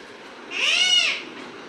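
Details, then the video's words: Pet parrot giving a single loud, harsh call about half a second long that rises and then falls, rich in layered overtones, over quiet indoor background hiss. "my parrot"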